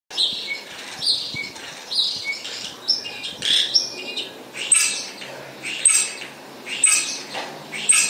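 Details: Spotless starling singing: a busy run of wheezy, buzzy high phrases and sharp whistles, rising and falling in bursts about once a second, with a faint low hum underneath.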